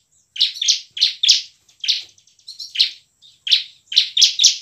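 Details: Bar-winged prinia singing energetically in the ngebren and nembak styles, used as a lure to rouse lazy prinias into song; loud, harsh chirps delivered mostly in pairs with short silent gaps between bursts.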